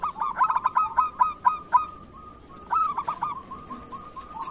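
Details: Local zebra dove in kerot style, used as a model song to train other doves: a fast series of loud clipped coo notes slowing over two seconds, a short level purr, then another burst of stuttered notes.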